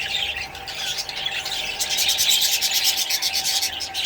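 A budgerigar warbles in a scratchy, chattering stream of rapid high chirps and buzzy notes.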